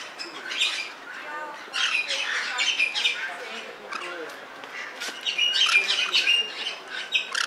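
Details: Sulphur-crested cockatoo in Belgrade Zoo, Serbia, recorded in 2021: harsh, broadband squawks and raspy chattering bursts, coming in rapid, irregular runs with short pauses, some with a speech-like quality.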